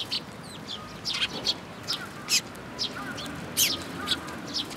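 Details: Sparrows gathering at a feeding spot on a bridge railing at a Tenmangu shrine, 9 June 2022: scattered short, sharp chirps at irregular intervals over a steady low background hum.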